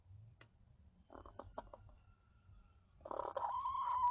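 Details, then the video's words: Hens inside a coop, where one hen is trying to lay an egg as another comes in and fusses at her; a quick series of soft clucks, then a louder, drawn-out nasal call rising into a steady tone. "Funny Chickens sounds"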